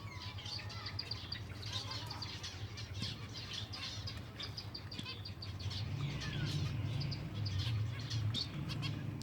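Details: Flock of silver Java sparrows at feeding time, many quick overlapping chirps and clicks at about two and a half per second, with soft fluttering and a low droning hum that grows louder in the second half.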